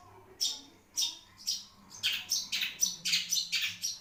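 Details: Long-tailed shrike of the Marlboro type giving harsh, buzzy calls, first spaced about every half second, then speeding into a quick run of rasping notes.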